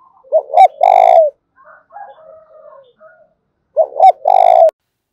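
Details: Spotted dove lure call to provoke calling: two loud cooing phrases, short curved notes then a drawn-out falling coo, with softer distant cooing between them.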